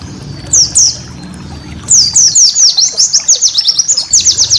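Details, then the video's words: Cage-bird training song of a white-eye: two high downslurred whistles, a pause, then a lively run of quick, sharp descending chirps repeated several times a second. "masteran burung pleci"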